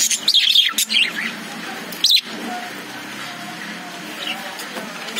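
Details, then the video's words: Lovebirds inside a cage give a quick flurry of shrill, wavering chirps. After a short pause comes one more burst, then a few faint scattered notes over a quiet hum. "Love birds sound"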